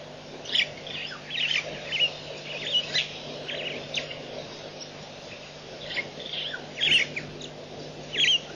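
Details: At Nkorho Pan on 24 September 2007, white-backed vultures give a run of short, harsh, chattering squeals, repeated roughly every half second to second, above a constant low background hum.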